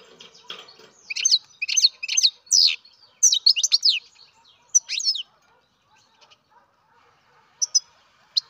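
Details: Young European goldfinch from captive breeding: a series of loud, buzzy twitter bursts about every half second, then sparse single chirps after a quiet stretch.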